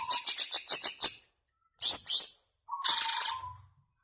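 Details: Greater green leafbird in long, aggressive song meant to spur caged birds: quick series of harsh clipped notes, two sweeping whistled slurs, then a buzzy rattling phrase over a low tone.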